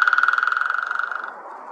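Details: White-backed woodpecker drumming: a fast roll of sharp, evenly spaced knocks about 25 per second, ringing and resonant, fading over roughly 1.3 seconds, then quiet background hiss.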